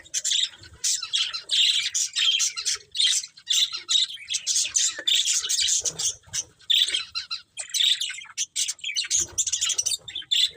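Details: Breeding pair of budgerigars chirping continuously, a dense run of short scratchy high chirps and squawky notes with brief pauses, steady and busy throughout.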